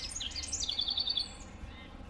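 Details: Wren singing in a North American backyard: a quick spray of high, sweet descending notes dissolving into a fast, even trill of bright repeated notes, with faint background hiss.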